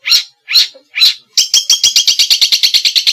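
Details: Small birds singing as tutor song for a white-rumped shama: three loud separate high chirps, then a fast even run of sharp ticking notes, about five per second.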